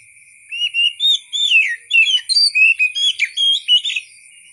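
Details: Oriental magpie-robin singing a rich, varied song of rapid whistled phrases, slurred notes and short chirps, about a dozen bursts in quick succession, over a constant faint high-pitched tone running throughout.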